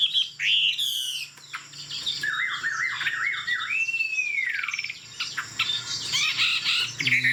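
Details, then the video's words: Tame Chinese hwamei singing high on its perch: a few sharp notes, a run of zigzag whistled trills, then a long smooth arching whistle, followed by mixed harsh and whistled notes. "Họa mi thuần, Đuôi lá vả, Chim hót cao cầu"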